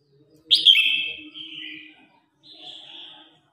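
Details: Red-whiskered bulbul singing to rival birds and calling the flock: a strong, rich phrase that slides downward and trails off, then a thinner, even second phrase, over a faint low hum.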